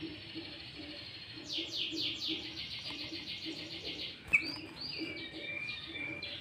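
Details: Sooty-headed bulbul singing with green leafbird fills, played to lure wild bulbuls. A quick trill of descending chips leads to a sharp click, then drawn-out whistled tones over steady hiss.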